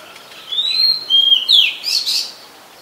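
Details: Oriental magpie-robin, a very common resident, singing at Ubon Ratchathani, Thailand, on 20 March 2022: clear whistled notes, a long level phrase followed by a sweeping slur and a burst of higher rising notes, on a quiet background.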